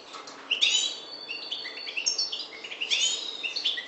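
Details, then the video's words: Maghreb parva goldfinch in full song, pouring out quick liquid twitters, short whistled notes and sharp high chips in a continuous, varied stream over a faint background hiss. "Chardonneret parva maghreb"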